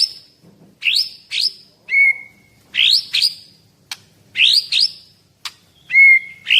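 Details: Caged Medan white-rumped shama, 11 months old, 24 cm, contest bird with full mimicry repertoire, giving loud rising sweeping notes in pairs interspersed with flat whistles and sharp clicks.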